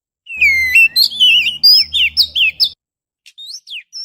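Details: Oriental magpie-robin lure song, recorded on a GoPro Hero, used to attract birds: a loud run of varied whistled phrases, rising and falling slurs and sharp high notes for about two and a half seconds, then a pause and a few short whistles.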